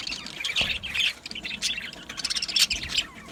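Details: Budgerigars singing and chirping: dense, scratchy warbled chatter with squawky notes and rapid tweets overlapping continuously, several birds at once, with sharper bursts about every half second and no other clear sounds.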